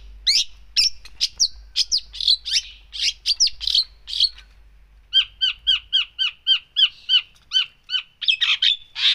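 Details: Long-tailed shrike in full, lively song rich in mimicry: harsh scratchy notes at first, then a fast even series of clear, downslurred chirps repeated about twice a second.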